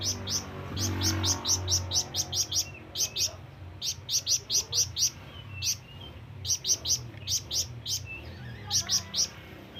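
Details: Flamboyan bird in a long, persistent call meant to attract companions or rivals, delivered as bursts of sharp, high chirps in quick clusters separated by short pauses, over a low background hum.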